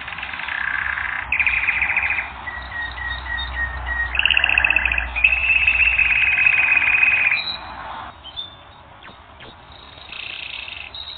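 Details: Canary singing on a training recording, moving through dense buzzy rolls, a run of short evenly spaced whistled notes, a loud rattling trill, then softer scattered notes and a final roll.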